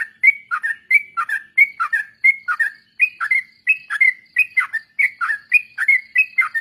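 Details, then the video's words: Trucuk, or sooty-headed bulbul, singing a training lure meant for birds kept in groups. Liquid, chortling phrases of several notes repeat steadily about every third of a second and barely pause for nearly seven seconds. "suara burung trucuk||pancingan bahan ombyokan dan ikut ropel"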